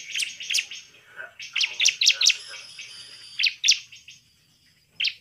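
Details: Bar-winged prinia singing energetically, a lure recording to stir other prinias into angry, persistent song: sharp high chirps in short uneven runs, then scattered single notes with quiet gaps.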